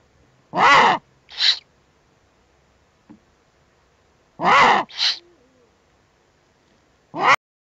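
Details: Eurasian eagle-owl at a nest webcam with owlets on 21 April 2020, giving harsh, rasping hiss-like screeches, each a long burst followed by a shorter one, repeating about every four seconds, with a final burst.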